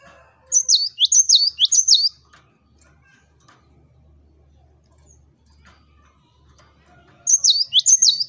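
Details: Cinereous tit (gelatik batu) singing as a lure to provoke rival birds: high, sharp two-part notes repeated three times in quick rhythm, a long quiet pause, then the same ringing phrase again.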